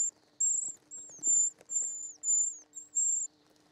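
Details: Short-toed treecreeper chicks being fed in the nest give thin, very high notes, some slurring downward, in a run of about seven, over a faint steady low hum.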